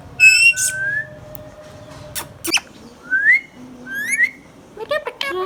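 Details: Pet green Indian ringneck parakeet, hand tame, giving sharp whistled notes, several quick rising sweeps and a few clipped squeaky bursts spread across a few seconds of otherwise quiet room sound.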